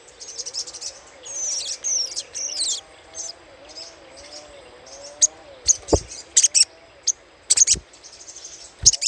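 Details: Little spiderhunter chattering used as a lure: sharp, very high chip bursts in quick clusters, with a few fast down-slurred whistles early on. A low, wavering tone runs steadily underneath.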